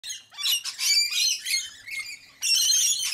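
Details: Rainbow lorikeets feeding on sunflower seeds in Sydney, a noisy flock trading shrill, grating screeches in overlapping bursts, with a short pause before a fresh loud burst.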